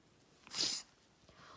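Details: Pet female blue-and-gold macaw putting on a dramatic fake sniffle once something in her eye is out: a single harsh, airy sniff of about a quarter second in a quiet indoor room.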